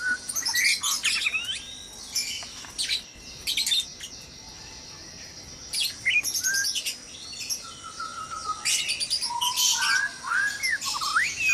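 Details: Breeding-cage white-rumped shamas at dawn: bursts of high chirps early, then clearer lower whistled phrases with rising and falling slurs, several birds overlapping noisily.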